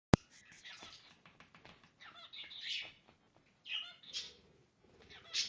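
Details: A pet male cockatiel sings a rambling string of chirps, warbles and whistled phrases while bobbing his head, singing to his owner's slipper, which he follows everywhere.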